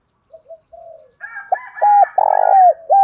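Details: Spotted dove lure bird calling to draw rivals into answering: soft distant coos, then a loud close phrase of hooked notes with a long rough central note, ending on another hooked note.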